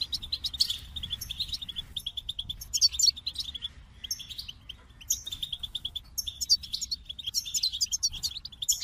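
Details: Goldfinch singing for about nine seconds, rows of evenly pulsed high notes mixed with twittering flourishes and buzzy trills, phrases returning every second or two; steady faint low noise.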